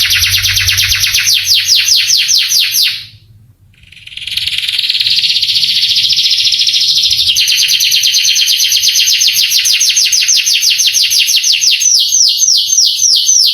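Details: Canary song for stimulating young canaries: rapid down-slurred trill, a brief pause, then a long buzzy rolling phrase that turns into fast repeated descending notes.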